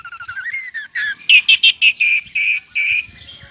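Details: Oriental magpie-robin (kacer) singing in full voice with lovebird mimicry: a run of short whistles rising in pitch, then loud, harsh chirped notes repeated about three per second, fading into softer twitters.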